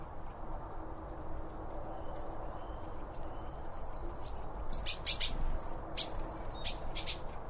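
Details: Birds eating and chirping around a feeder, binaurally recorded with two microphones set beside the feed: sharp high chirps and short twitters cluster in the second half, mixed with crisp clicks and taps over a steady low background rumble.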